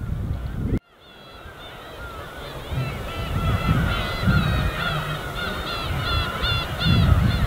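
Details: After an abrupt cut, a flock of gulls over the winter East Sea in Korea bursts into rapid repeated yelping notes, several per second and growing busier, above soft lapping waves.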